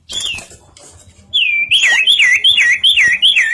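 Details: Bar-winged prinia in full song: after a short opening whistle, a looping phrase of about five bright, wavering whistles repeated rapidly at even intervals, loud and clear.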